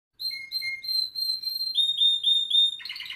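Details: A domestic canary sings in the Brazilian tournament fibra style: bright, high whistled notes repeated several times a second, shifting between pitches, then ending in a fast, dense rolling trill.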